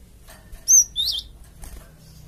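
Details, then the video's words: Java sparrow calling as bait to make other birds reply: a bright, high, clear whistle followed at once by a lower upward-sweeping note, with a faint background hiss. "BURUNG GELATIK OMBYOKAN PUN LANGSUNG NYAUT DENGAR INI PANCINGAN BURUNG GELATIK BAHAN"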